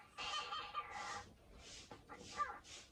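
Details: Caged male pet cockatiel indoors, eager to play during house cleaning, chattering in a run of raspy, harmonic-rich calls broken by short breathy bursts, several notes in quick succession.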